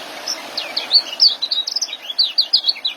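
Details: Energetic young white-eye in ngeriwik and joss style, a masteran for caged birds, pours out a continuous stream of bright, high, slurred chirps, rising and falling, without a break.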